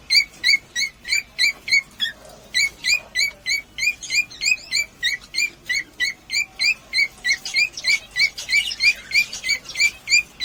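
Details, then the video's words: Cockatiels calling in a recording meant to stimulate breeding: short, bright chirps repeated rapidly about three times per second in a steady rhythm, with a brief denser flurry of overlapping notes near the end. "مقطع لتحفيز طيور الكوكتيل على التزاوج"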